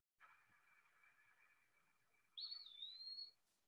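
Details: Eastern Wood-Pewee, a spring migrant in Illinois in April, says its name: one clear, slurred whistle, rising then dipping and leveling off, like 'pee-a-wee', over a steady faint hiss.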